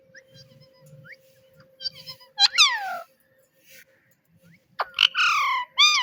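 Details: Pet parrot mimicking human words, saying "Mitthu Mitthu"; faint low murmurs and soft chirps first, then two loud harmonic, downward-sliding voice-like phrases, a long quiet gap, and another strong burst near the end.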